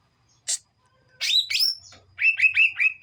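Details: Greater green leafbird from Kuningan, a young bird practising ngeplong singing: one sharp high chip, then rising whistled slurs and a rolling series of four warbled notes, very loud and clean.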